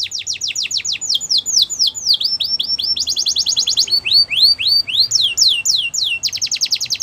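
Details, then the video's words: Belgian canary singing a fast, varied song: tours of rapidly repeated high downslurred whistles, switching to a dense trill near three seconds, then more swept notes and a closing buzzy trill. "Do This And Your Canaries Will Never Stop Singing | Belgian Canary"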